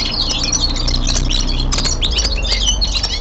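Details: Captive linnet (Carduelis cannabina) singing at home, possibly a young male: fast, busy twittering of bright chirps and short trills, possibly from several birds, over a steady low indoor hum.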